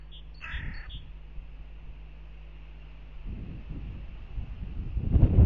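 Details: In Riga on 10 April 2021, during a crow fight at a goshawk nest, a hooded crow gives a quick burst of harsh, raspy caws in the first second. Low rumbling and wind-like noise then grow louder.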